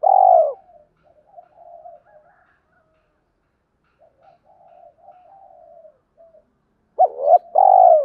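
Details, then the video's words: Spotted dove whose coo is used to pull wild doves in to a trapping spot, opening with a long falling coo, then quiet trailing murmurs for several seconds before a hoot pair and a rich drawn-out coo. "tiếng cu gáy giọng hợp bổi dùng đi gác chim rất nhanh về cội"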